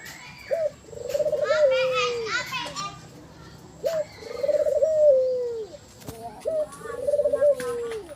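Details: White ivory collared dove with a black collar: three low cooing phrases, each a short rising note then a long vibrating coo sliding down, about every three seconds, with children's voices chattering over the first.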